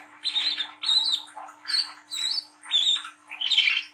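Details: Brown-throated sunbird, a young speckled bird, singing ngriwik nglagu as a training lure for young birds. High, scratchy chirp phrases, each about half a second, repeat at a steady pace with short silences between.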